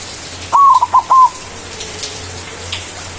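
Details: White zebra dove in loud manggung cooing, used as a lure to call rivals: one quick burst of four hollow, mid-pitched cooing notes, the last drawn out, followed by quiet background hiss.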